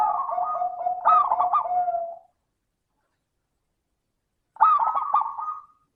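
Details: Perkutut, a local zebra dove, giving its 'suara kristal' song as a lure for other doves: a two-second rolling coo with a stuttering accented middle, silence, then a second bubbly coo phrase.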